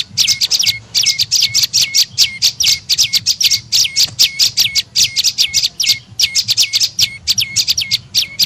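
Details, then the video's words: Tailorbird, known locally as prenjak lumut, giving a call used to lure birds: continuous high, sharply falling chirps ending in brief level notes, repeated in tight fast groups. "SUARA PIKAT BURUNG PRENJAK LUMUT PALING AMPUH"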